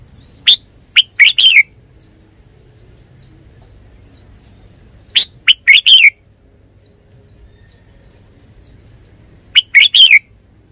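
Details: Red-whiskered bulbul singing the same cheerful four-note phrase three times, roughly every four to five seconds, with near silence in between.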